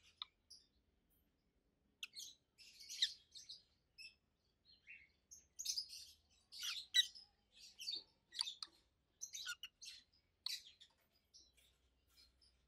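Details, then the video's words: Pair of adult pet peach-faced lovebirds, over a year old, chirping loudly: a steady run of shrill, high chirps and chatter, mostly evenly spaced across the recording, with a faint low hum beneath. "Rosy-faced Lovebirds Call Sounds"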